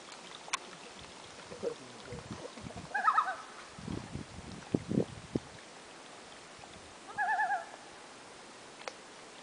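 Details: Common loons, a family on a lake about 150 km north of La Ronge, Saskatchewan, Canada, in August 2011: two faint, quavering tremolo calls, several seconds apart, over steady background noise with a few soft knocks and splashes.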